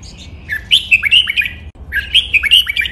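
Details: Caged red-whiskered bulbul giving a Pa La-u style song recorded for training birds to copy: two quick, liquid phrases of rising and falling whistles, each about a second long, separated by a brief pause.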